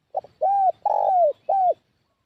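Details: Spotted dove lure call used to draw wild doves to a trapping spot: a brief double note, then three cooing notes, the middle one longest and slightly burry, each arched and falling at the end, in a quiet setting.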